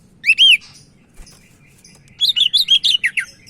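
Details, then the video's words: Sumatran leafbird in full, active song, a recording meant as a tutor or to provoke other leafbirds to sing: two loud arched whistled notes, a pause, then a quick string of about nine sharp, bright chirping notes. "Burung Cak Ijo Medan Gacor"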